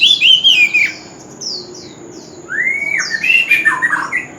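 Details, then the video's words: An old wild-caught oriental magpie-robin sings loudly at a street corner, giving sweet slurred whistles, a long rising-then-falling note and scratchy warbles, with a pause of faint, thin downslurred notes between phrases. "Tiếng chim Chòe Than già rừng - Chòe than rưng hót vang cọng góc phố"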